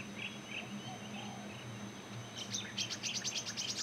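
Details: Pacific swallow on a tall, open perch shared with bee-eaters, where one swallow chases another away while it preens; soft scattered notes, then a quick burst of high, sharp chirps in the final second and a half, low arched calls behind.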